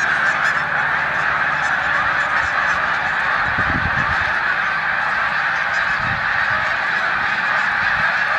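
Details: Snow geese on their final days of rest in a Savannah, New York corn field, 14 March 2020, with Canada geese present; a thick, continuous honking chorus, with brief low rumbles around the middle.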